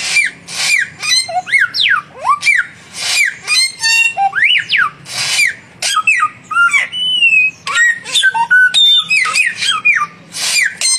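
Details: Samyong birds, a young and a mature one, singing actively in a duel: a long unbroken stream of loud whistles with rising and falling swoops, buzzy bursts and sharp high notes.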